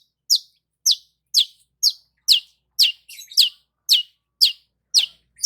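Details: Long-tailed shrike sunning itself in the morning, repeating a sharp, high downslurred chip about twice a second in a steady series.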